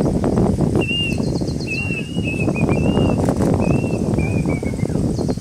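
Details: Plaintive cuckoo (Cacomantis merulinus) heard during Cyclone Yaas, giving a run of about eight short whistled notes that step gently downward in pitch, each roughly half a second long, over a loud continuous storm-like rumble.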